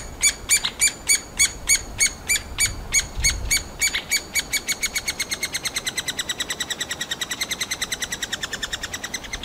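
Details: Eurasian three-toed woodpecker nestlings in a tree cavity, fed insects and ant larvae by their parents, Kalinovsky forest park, Yekaterinburg, beg with rapid, high buzzy chirps, starting spaced and speeding into a continuous stream of about four per second.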